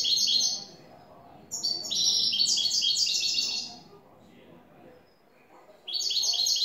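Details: A European goldfinch sings cante limpio: a short twitter, a pause, then a long cascade of rapid, bright, slightly buzzy notes, a second quiet gap, and a new phrase beginning.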